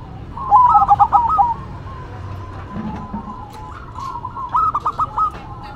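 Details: Zebra doves, local and cemani, singing a duet: two bursts of rapid, bubbling stuttered coos about three seconds apart, with softer cooing between them and low background hum.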